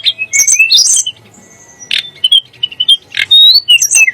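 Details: Sunda blue robin song, said to enrage magpie-robins and shamas: rising whistles and chatter, a long thin high note, then short explosive chips and slurred whistles.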